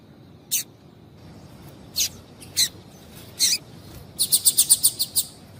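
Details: Female double-collared seedeater calling to stimulate male song: scattered high chips with gaps, then a rapid, even burst of about eight quick chips near the end.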